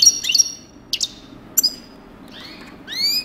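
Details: Goldfinch coupleur song: crisp chirps and a high whistled tone, then two sharp notes, followed by smooth rising harmonic calls, against a faint low hum.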